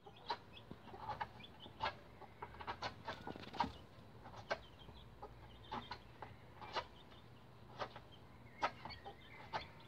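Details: Bantam Rhode Island Red chicks about 11 days old climbing a chicken ladder: scattered short high peeps mixed with many sharp knocks and scratchy taps from feet and wings.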